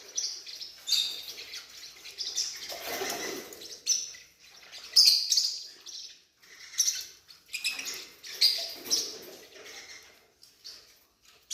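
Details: Forpus parrotlet, a newborn chick, giving thin high-pitched chirps and squeaky peeps in irregular bursts every second or two, mixed with soft rustles and scraping in a small indoor space.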